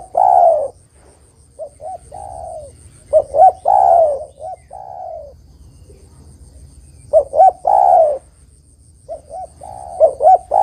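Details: Spotted dove, local name derkuku or tekukur, singing to lure other doves for trapping: low mellow coos, a short double note followed by a long drawn purring coo, in phrases repeated about every four seconds, with quiet background hum.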